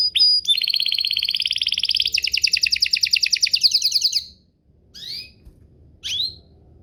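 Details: Singing canary, played to coax other canaries into answering: a long rapid trill of high buzzy repeated notes lasting about four seconds, followed by a pause and two short isolated rising chirps.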